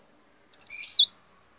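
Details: Leaf warbler's quick, very high twitter: about half a second of tumbling, slurred notes rising and falling, with four loud pulses in clear silence otherwise.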